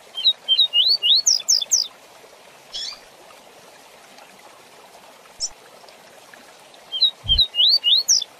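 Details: Rusty-collared seedeater song used as a tutor recording for teaching young birds, in the fast tui tui zel zel style: two bursts of rapid, high, rising whistled notes, about eight per phrase, separated by a quiet gap with a faint note, over a steady hiss.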